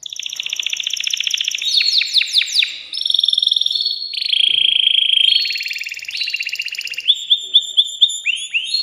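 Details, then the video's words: Excited male canary in a cage, singing to rouse a female for mating. Its continuous, loud song moves through fast metallic trills, rapid downward-sweeping chirps and sustained buzzy rolls, ending in quick repeated upslurred notes. "تغريد ذكر كناري هائج يريد تكسير القفص يحفز الأنثي لتزاوج"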